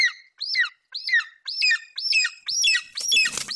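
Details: Golden eagle offspring standing over a partial Eurasian hare delivered by its mother at a Bucovina nest in July 2021. Shrill, falling whistled notes come nearly twice per second, and a burst of rustling or flapping noise follows near the end.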